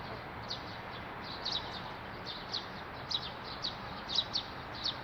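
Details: Bird sounds: thin, high, short chirps scattered irregularly, about ten over five seconds, some in quick pairs, above a steady broad hiss of background noise.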